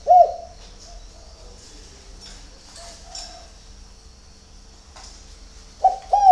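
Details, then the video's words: Spotted dove at dawn at a bird garden in Ba Vì near Hanoi, Vietnam: one hollow coo opens the phrase, then a long quiet stretch with faint soft notes, and a pair of quick swooping coos closes it. "CU GÁY SÁNG SỚM"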